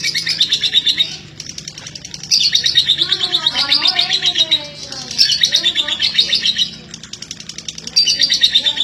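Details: Female lovebird from East Lampung, Indonesia, in long-duration 'durasi' singing: loud bursts of rapid high chattering come in waves, with softer lower wavering sounds in the background between bursts.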